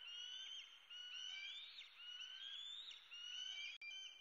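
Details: Bald eagle eaglet demanding food in Southwest Florida, USA, early morning of 8 May 2016: high, thin screaming whistles with bright overtones, drawn out and nearly continuous, a few rising and slurred, broken by one brief gap near the end.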